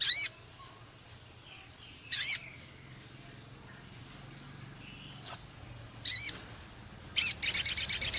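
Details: A male Javan cochoa sings hard, with a repertoire of scarlet minivet imitations, ketikan and rough crecet. Scattered high, looping notes are separated by pauses, ending in a quick, buzzy trill of rapid repeated high pips.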